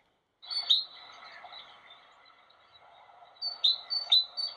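A great tit sings bright, high two-note 'teacher' phrases, one early and then several in quick succession at the end, over a soft steady background murmur.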